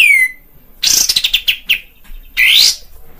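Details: Bulbul known locally as kapas tembak, used as a lure for training birds: one falling whistle, a chattering series of short buzzy notes, then a single rising buzzy note.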